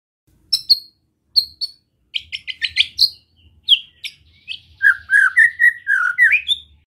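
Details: White-rumped shama singing a calm besetan to excite rival shamas: spaced sharp high notes, a stutter of quick chips, then a burst of rich, slurred whistles in rapid succession.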